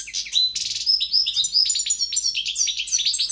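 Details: Goldfinch singing with striking power: fast tumbling run of bright twittering notes, sharp upslurred whistles and buzzy trills, continuous and high-pitched with no pauses, in a quiet setting.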